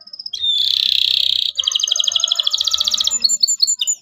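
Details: Energetic 'cuit cuit' song of a local canary used as a lesson for young canaries: a short whistle, a long loud buzzy trill, then a fast bubbling trill and a string of sharp chirps.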